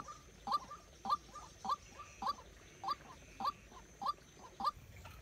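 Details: Decoy white-breasted waterhen kept for trapping gives short, sharp notes repeated about every half second in a regular rhythm, with quiet background hiss between notes.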